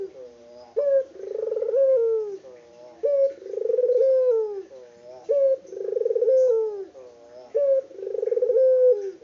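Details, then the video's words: Local puter dove, an unedited recording of a bird singing vigorously: a short sharp note followed by a long, low, rolling coo, the phrase repeated steadily about every two and a half seconds, with faint background chatter. "BURUNG PUTER LOKAL GACOR ISTIMEWA"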